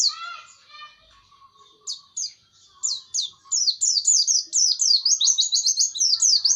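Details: White-eye song from an old pleci recording: soft low twittering at first, then scattered high notes building into a rapid, continuous chain of shrill, slurred chirps.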